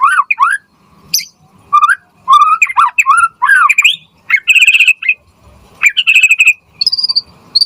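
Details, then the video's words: White-rumped shama song used as a lure for other birds: varied, fast phrases of rising whistles mixed with sharp chips and rapid rattling trills, loud and continuous. "Pancingan Murai Batu Gacor Auto NYAUT cepat RESPON"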